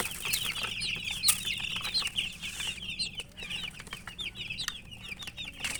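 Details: A crowd of coloured chicks cheeps rapidly, with high short notes tumbling over one another in a lively, uneven stream, plus a few sharp clicks and knocks.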